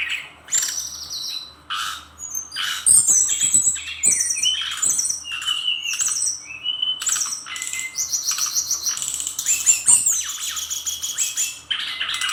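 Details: Brown-chested jungle flycatcher of the Bali type, a kept songbird in full, energetic song packed with filler material: rapid rattling runs, sharp high shots and varied chirps, bursts of buzzy trills and clear descending whistles pouring out almost nonstop.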